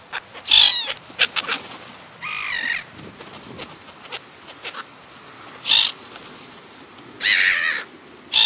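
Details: Black-headed gulls in the wild in the New Forest, Hampshire, England, July 2009: loud, harsh, grating calls, some short and some drawn out, come in bursts separated by quieter gaps with distant faint calls.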